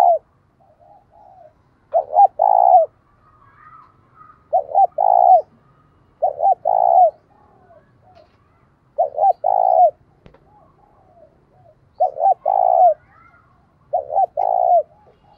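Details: Spotted dove used as a decoy, calling to provoke rival males into fighting; low hoarse coos around 600–800, each phrase a quick double note then a longer drawn-out coo, repeated about every two to three seconds, faint higher whistle in background.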